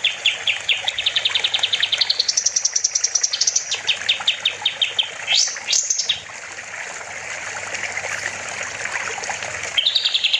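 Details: Kapas tembak bulbul in full song for training other songbirds: about fifteen rapid chirps, high rising notes, then a quieter stretch of rushing water before the singing resumes.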